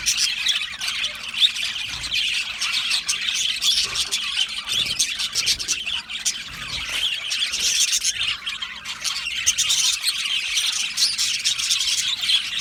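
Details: Many budgerigars in a colony aviary keep up steady, overlapping high chirping and warbling song that swells and dips but never stops.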